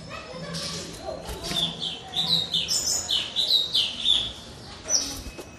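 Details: Song of a white-rumped shama, played as a lure to get other shamas singing: a string of rapid, high chirping notes through the middle of the recording, with a faint low hum underneath.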